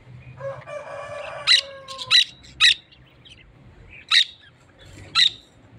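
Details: Parakeets and budgerigars kept together: a lower, wavering chatter at first, then sharp, loud, high squawks at irregular intervals of about a second, with quiet gaps between them.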